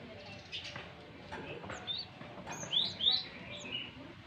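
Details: A young Java sparrow, still showing some green, gives a few sharp, high, rising chirps, with two louder ones close together midway, over a quiet, murmuring background.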